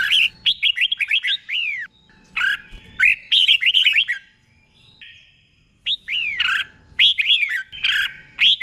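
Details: Red-whiskered bulbul in a cage, a tutor bird, pouring out fast runs of bright warbling whistles in paired, doubled phrases, pausing briefly about halfway before resuming.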